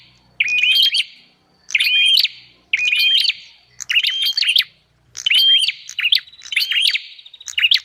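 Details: Bar-winged prinia lure sound, used to gather wild birds: loud chirping phrases of whistles and clicks repeated roughly once a second, with short silences between bursts and a quieter, buzzier run near the end.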